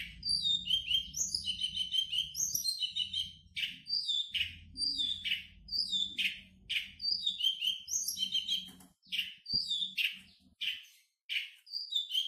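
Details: Rich, rambling song from a champion long-tailed shrike, mixing twittering whistles, falling slurred notes and harsh chips in quick succession, with soft low hum behind.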